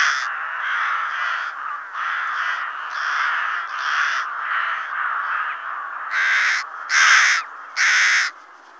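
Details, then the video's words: Rook (Corvus frugilegus) giving harsh, grating caws, roughly one per second, with a louder set of three hoarse calls near the end. "Corbeau freux"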